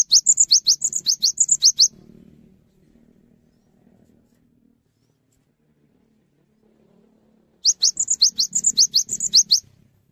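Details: Cinereous tit in lively song, urging other tits to join in: two bursts of rapid high rising-and-whistled phrases roughly six seconds apart, with a soft low hum filling the pause.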